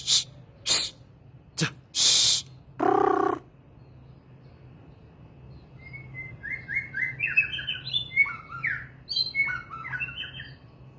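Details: Several loud rustling bursts open the recording. A White-rumped shama then sings a lively sequence of quick whistled and slurred notes lasting several seconds.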